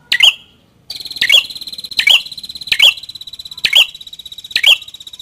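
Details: A prinia, named in the video as a red-headed prinia and used as a tutor recording for other birds, repeats sharp, bright chipping notes about once a second over a steady, high, buzzing trill.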